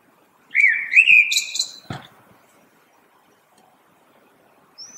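A common blackbird gives one song phrase: a mellow, fluty warble that ends in a thin, squeaky twitter. Then a sharp click, a quiet pause and a faint high note.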